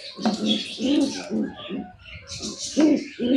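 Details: Pigeons at egg hatching give low, throaty cooing pulses in short bursts about every half second, with a brief pause midway. Higher, busy chirping from other small birds runs behind.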